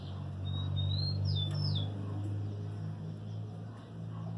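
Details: Moulting kept lined seedeater, recorded 12 November 2018, delivers a thin sustained high whistle that rises slightly, then a pair of quick descending slurred notes, set against a loud continuous low-pitched hum.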